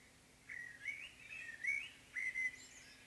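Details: Common blackbird in morning song, rich whistled phrases delivered in two groups with a short pause, ending in a thin high twitter.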